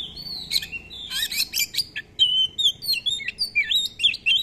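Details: Oriental magpie-robin (kacer) singing actively in a lure for teaching other kacer, full of long rolls and filler phrases: continuous, varied whistled phrases with buzzy bursts, then a fast run of short crisp repeated notes.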